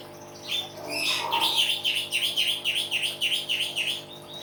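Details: Common hill myna, a captive bird singing loudly in a chattering natural-sounds style, delivers a rapid run of about a dozen bright, repeated whistled chirps after a short harsh note, over a steady low hum.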